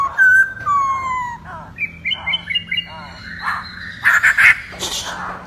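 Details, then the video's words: Masked laughingthrush singing, with a courtship dance to attract a female: long falling whistles, then a stepped series of higher level whistles and short chatters, closing in harsh buzzy bursts; low hum throughout. "Poksay HONGKONG Gacor Tarian Burung Legenda"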